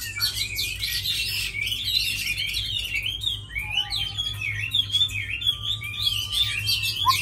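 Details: Tame Chinese hwamei, a good fighter that sings well, giving an unbroken flow of varied warbling whistles, repeatedly rising and falling, with a faint lower note near the middle.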